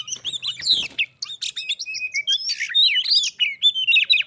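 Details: Singing duel between a pet Oriental magpie-robin and a wild magpie-robin that came to it, escalating toward a fight: rapid varied whistles, slurred up and down, with brief harsh bursts, almost without pause.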